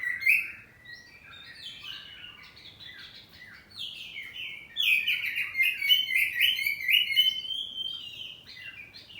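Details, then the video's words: Caged kacer poci oriental magpie-robin delivering ngeplong song in back-and-forth answering: scattered whistles open the phrase, building into a long, loud stream of rapid, varied whistled and chattering notes. "Kacer ngeplong saut2an || kacer poci rumahan || suara kacerpoci"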